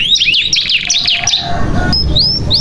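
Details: Canary song meant to coax young canaries into singing: a quick run of varied chirping notes, then quieter rising whistles after a short pause, with low background rumble.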